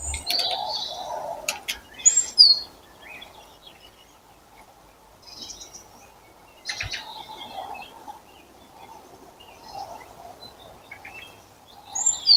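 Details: Birds in April, short high twitters and chirps scattered through quiet stretches, with a low hum and a few clicks.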